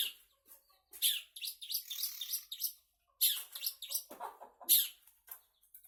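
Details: Long-tailed shrike pouring out a harsh, rasping chatter mixed with shrill squeaky notes, two long loud bursts separated by a short silence.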